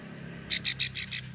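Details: Plain prinia female in Ulujami, Central Java, giving a long clicking call used to lure males: a quick series of five high, buzzy, clicking notes, about six per second, over a faint low hum.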